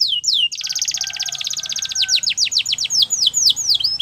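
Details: Singing canary: two quick falling whistles lead into a long rapid buzzy trill, which slows into a sequence of separate swooping descending notes, high-pitched and clear.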